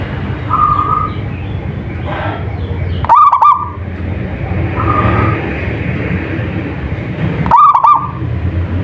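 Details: Local zebra dove singing actively: two loud, throaty cooing phrases with a rapid rolling, bubbling pattern, about four seconds apart, plus fainter similar phrases in between, over a steady low rumbling background noise.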